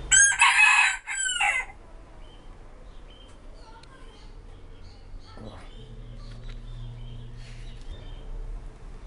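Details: Five-toed Silkie rooster crowing once, loud and harsh, for under two seconds, then falling silent to listen for another rooster's reply amid quiet background hum.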